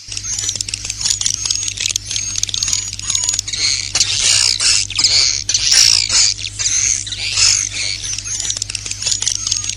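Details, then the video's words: Swiftlets giving a roosting lure call: a dense, continuous chatter of high, sharp chirps and clicks, thick and busy throughout, with a faint steady low hum underneath. "SUARA BURUNG WALET🐦 INAP PLUS"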